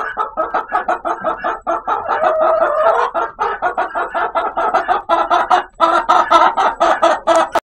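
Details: Chicken making a weird, funny noise: a steady, dense run of pulsed, nasal clucking notes, roughly even in loudness and closely repeated throughout, with a few slightly louder bursts near the end.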